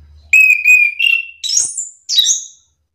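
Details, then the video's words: Chestnut-capped thrush song meant to excite other thrushes into countersinging: a sustained whistled note slurs upward into high, bright warbles, then a separate final rising-falling whistle after a short pause. "anis kembang malas bunyi langsung emosi ikut bunyi sahut sahutan"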